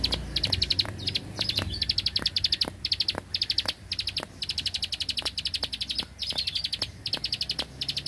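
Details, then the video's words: Vigorously singing Bar-winged prinia, a rice-field bird, in 'tembakan bren' style: rapid high 'klik' notes in short bursts of about a second, separated by brief pauses, with sharp ticks throughout. "Prenjak Klik Klik Burung Sawah Gacor Tembakan Bren"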